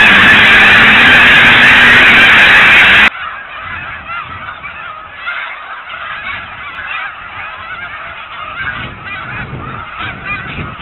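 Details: Wintering snow geese on refuge ponds at Blackwater National Wildlife Refuge, feeding and resting: a loud wall of massed honking for three seconds, then a quieter, more distant stretch of scattered nasal calls.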